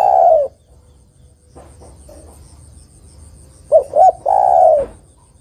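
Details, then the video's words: Spotted dove female calling a male: a coo ends, quiet follows with faint notes, then a fresh phrase of two short notes and a long, falling, hoarse coo. "TEKUKUR BETINA MEMANGGIL JANTAN ini PALING PANDAI membuat TEKUKUR JANTAN bunyi"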